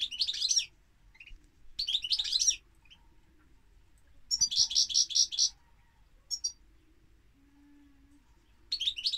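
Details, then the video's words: European goldfinch giving fast, high twittering phrases: jangling mixed notes, a rapid series of repeated ringing notes, scattered single chirps, and a faint low hum in the background. "Goldfinch Singing - Cantec de Sticlete - Chardonneret"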